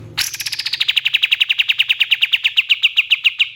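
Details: Pied fantail, known locally as kapas tembak, singing a long rapid trill of bright, metallic notes that start high and slide slightly lower, about seven notes a second, steady and loud, in a quiet setting.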